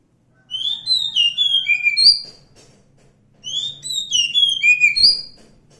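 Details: Wild Oriental magpie-robin (kacer hutan) singing two similar whistled phrases about three seconds apart, bright sliding notes with a high piercing note toward each end; light clicks and low hum.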